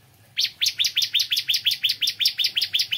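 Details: A bar-winged prinia in the morning delivers one unbroken string of about sixteen sharp, high, downslurred notes, roughly six per second, loud and evenly spaced.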